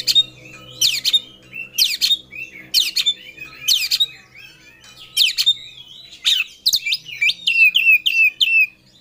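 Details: Oriental magpie-robin in an aggressive, rival-seeking song: sharp, buzzy downward-sweeping notes repeated about once a second, followed by a rapid run of short chirped notes, against a quiet low hum.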